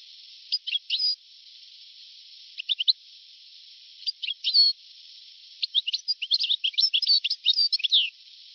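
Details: Old 1982–1990 recording of a European goldfinch singing: brief twittering phrases separated by pauses, then a longer run of quick, liquid, tinkling notes near the end. A narrow, muffled tone and faint hiss run throughout.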